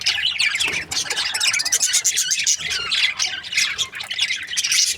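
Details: Continuous loud chatter from budgerigar breeding pairs, many overlapping shrill chirps, squeaks and warbles forming a dense busy wall of sound.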